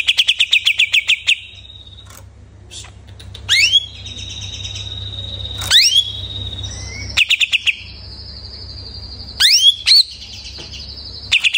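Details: Greater green leafbird, just finished moulting, mixes a rapid chirp burst with upward-sweeping notes and drawn-out steady whistles at several pitches, varied phrases separated by short pauses.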